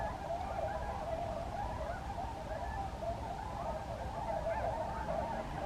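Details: Swans calling: a dense, steady chorus of many overlapping nasal honking notes that goes on without a break.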